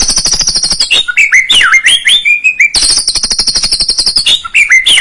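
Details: White-rumped shama lure song meant to make a young bird sing: a loud, high buzzy trill, a burst of tumbling slurred whistles, then the trill and whistles repeated.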